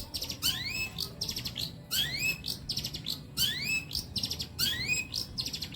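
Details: Long-tailed shrike singing as songbird training material: a phrase of buzzy chatter ending in a clear rising whistle, repeated about every 1.3 seconds.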